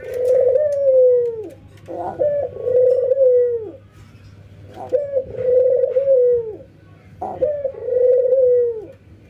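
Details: Ringneck doves, a white albino and a local bird, nodding and laughing in training, coo steadily indoors. There are four rolling, gently falling phrases, each about two seconds apart, with brief clicky notes between them.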